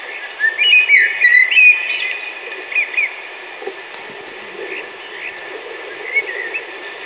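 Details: Common blackbird singing: a short burst of fluty, warbled whistled phrases in the first two seconds, then a few faint notes, all over a loud, steady chorus of crickets.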